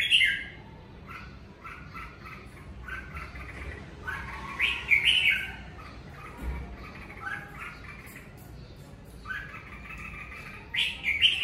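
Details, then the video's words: Red-whiskered bulbul singing during the covid season: short whistled, warbling phrases, some rising sharply, delivered in bursts separated by brief pauses, with a faint low background hum. "Chào mào hót mùa covi"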